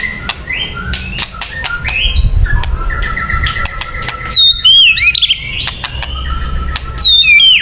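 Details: Luring song of a white-rumped shama, rich and varied: rapid whistles climbing in steps, sharp ticks, then high bright slurred notes near the end, phrases pouring out almost without a pause.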